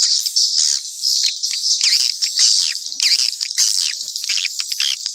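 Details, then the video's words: Swiftlets in a mixed chorus, loud rolling high chatter with downward-swooping chirps about twice a second, steady and unbroken throughout. "Sp burung walet campuran"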